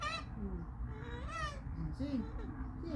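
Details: Female cockatoo outdoors, talking and laughing, says hello to people passing by; wavering, voice-like harmonic syllables with rising and falling slurs in a quick babbling string.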